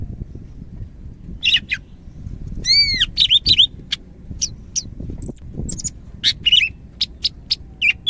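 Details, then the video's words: Greater green leafbird, Medan type, singing actively: a brief burst, a clear arching whistle, then rapid varied chirps and sweeps continuing to the end, over low rumbling background noise. "SUARA BURUNG CAK IJO MEDAN GACOR"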